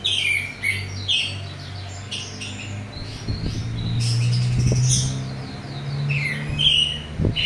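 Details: Orange-headed thrush delivering full open song with rough filler, meant to provoke a response from other thrushes; scattered whistled phrases and sharp high notes over a steady low hum and occasional thumps.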